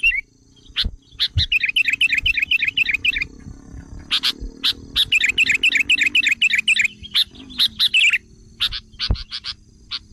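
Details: Sooty-headed bulbul lure call meant to provoke wild bulbuls: two long runs of rapid, evenly pulsed chirping notes, broken by sharp separate clicks and brief pauses, over a faint low hum.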